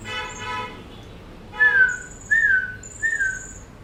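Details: Asian pied starling nestlings aged 13 and 14 days, hand-fed after removal from parents that abandon chicks, utter three loud downward-sliding whistled notes after a soft harmonic murmur, each note followed by a thin high hiss.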